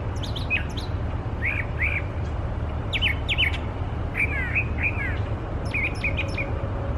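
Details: Brown Thrasher singing persistently in the wild, a mimic of other species. Its phrases often come in pairs: high squeaky notes, then doubled slurred whistles repeated twice, with a faint steady hum underneath.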